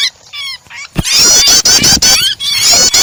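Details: Prinia starter recording combined with a trapped bird's distress cries to set other birds singing. Soft, high, curving notes open, then abruptly swell into loud, continuous squealing chatter punctuated by rapid clicks.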